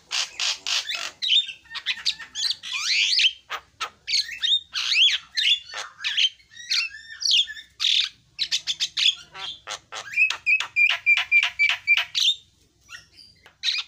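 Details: Javan myna in full song: a long, busy stream of harsh squawks, chatters and sharp notes, with a series of quick clear whistles near the end.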